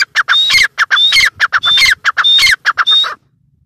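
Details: Female grey francolin giving rapid, raspy, high call notes. Each phrase pairs short clipped sounds with a longer whistled squeal, repeated several times over three seconds before silence.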